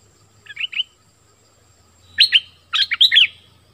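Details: Orange-headed thrush song, used for luring wild birds and teaching young birds: a short soft phrase, a pause, then louder bursts of quick twisting whistled notes over faint low hum.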